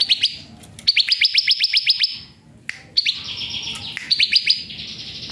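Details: Bar-winged prinia singing for songbird training: bright, high-pitched trills of evenly spaced sharp notes, about four per second, delivered in three bursts separated by short pauses, over a faint low background murmur.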